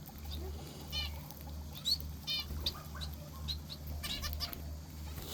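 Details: Finch kept in an aviary, heard in the morning: short nasal, buzzy calls given in quick bursts, some rising, with a steady low electrical hum underneath.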